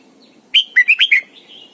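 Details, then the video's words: Caged red-whiskered bulbul decoy in morning song, in the double-note style of an old wild bird, used to train other bulbuls: a single crisp phrase of five sharp, slurred whistled notes, then quiet twittering. "luyện chào mào mồi hót sáng cực hay, ép chào mào hót âm kép già rừng hay tuyệt!"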